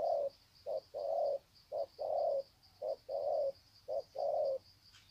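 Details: Spotted dove (bổi) at Sê San, Vietnam, February 2020, exchanging greeting coos: four paired phrases of a short coo then a longer steady coo, evenly spaced, with a high-pitched insect whine throughout.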